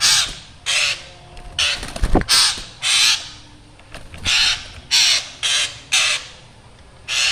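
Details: Vocal black drongo with a frightening-sounding voice; around nine loud harsh rasps in an uneven series, with a burst of rattling clatter in the middle.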